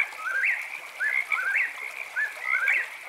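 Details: Whip-poor-will song on a camping night: clear three-part whistled phrases that each swing upward at the end, coming in quick succession over a continuous shrill hum of chirping frogs.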